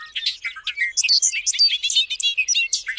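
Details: Bobolink giving a fast, bubbling jumble of metallic, tinkling notes that jump unpredictably between low and very high pitches, with no pauses across the whole stretch and no other sounds.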